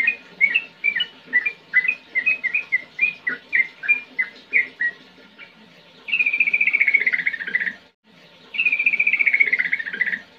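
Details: Sooty-headed bulbul singing ngetir ngerol style to coax young birds into song: a run of separate chirpy whistles for about five seconds, then two long, buzzy, slowly descending trills separated by a brief break.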